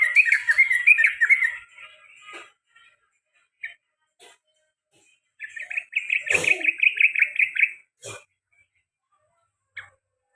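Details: Sooty-headed bulbul calling in the ropel panjang and garuda styles, repeated: an opening warbled burst, scattered clicks, then a steady rapid trill lasting about two seconds with a sharp knock in the middle.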